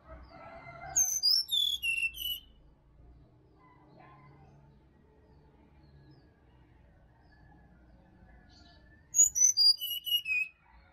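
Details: Bali sirdadu recorded wild in forest, used as a morning lure for caged birds: two separate falling phrases of high whistled notes, one near the start and one near the end, with quiet forest between.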